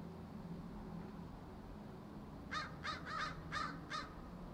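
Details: Crows massed in a tree: after a quiet stretch, five or six grating caws come in quick succession over faint low noise.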